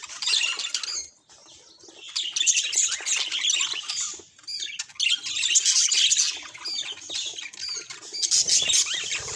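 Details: Budgerigar squawks and chirps in rapid, uneven bursts separated by several quiet pauses, the high harsh notes overlapping during each burst.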